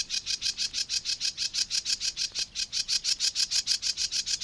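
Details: Sedge Warbler song recorded among Matsalu reeds, USSR: an unbroken, rhythmic series of rasping buzzy notes delivered about five per second, loud and even throughout.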